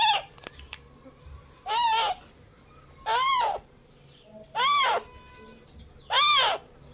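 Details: Young parrot calling: harsh, arched squawks rich in harmonics, each about half a second long, repeated roughly every one and a half seconds, with a few shorter high chirps between them over a low background hum.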